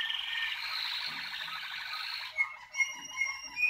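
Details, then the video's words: Waterslager canaries, 2019: a dense rolling trill for over two seconds, then sparse, clear whistled notes repeated about every half second. "Kanarki wodnotokowe 2019"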